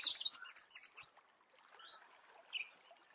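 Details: Marico sunbird in its natural habitat gives a fast, high, jumbled twitter lasting about a second, followed by a few soft scattered chirps.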